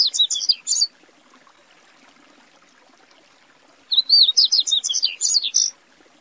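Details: Song of the Yellow-bellied Seedeater, known as papa-capim: two bursts of rapid, high, twittering notes, the first brief, the second longer and more varied, separated by about three seconds of near silence.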